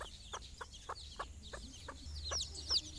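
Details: Quiet repeated clucks from a mother hen calling her chicks for a morning walk, with scattered high chick cheeps and low background rumble.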